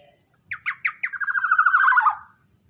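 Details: Black-naped oriole, used as a lure for other orioles: quick staccato notes leading into a sustained, rough, nasal phrase that drops in pitch before stopping, with little background noise.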